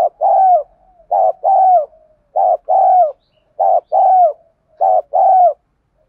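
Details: Spotted dove kept as a decoy, singing to provoke other doves. Evenly spaced two-note coos repeat about every 1.2 seconds, four times. Each is a clipped note followed by a fuller, gently falling croon.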